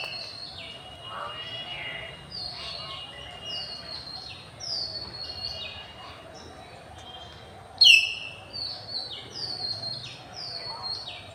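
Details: Common hill mynas in campus trees, afternoon light, 6 February 2024: one loud, piercing whistled call after a long run of quieter downslurred whistles and chirps from a mixed bird chorus.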